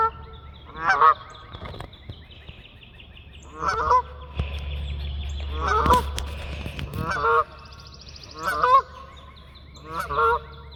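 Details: Six nasal honks from geese in flight, spaced about one and a half seconds apart, each a short buzzy blast rich in harmonics, over a low droning hum.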